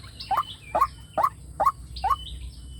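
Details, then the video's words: White-breasted waterhen lure call for a loudspeaker, drawing wild birds to fight: five short, hollow, slightly rising notes spaced about half a second apart, with faint high bird whistles in between. "tiếng chim quốc mồi dung để kep loa chim quốc rừng nghe là đá"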